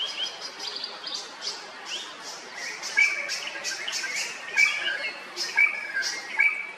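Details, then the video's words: Drongo calling in Kerala, India: a jumble of harsh, squeaky notes, followed by four loud, clipped whistles about a second apart, with chatter in between. "The call of Drongo"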